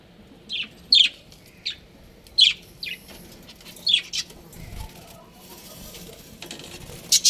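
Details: Pet budgerigar breeding pair giving short, sharp, high chirps, single or doubled, spaced roughly every half to one second, then a quieter stretch of faint rustling before a last bright chirp.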